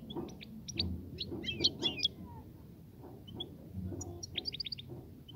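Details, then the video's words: Goldfinch courtship singing, European goldfinch, to stimulate the female to nest and mate. Dense tinkling chirps open the clip, a pause follows, then a fast run of four or five ringing repeated notes, all above a low hum. "صوت لتحفيز انثى الحسون على التزاوج"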